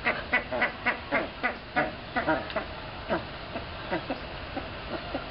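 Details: Boat-billed herons in the South American Aviary at Jacksonville Zoo. Short harsh calls repeat rapidly, about four a second, over steady background noise, followed by a person's laughter.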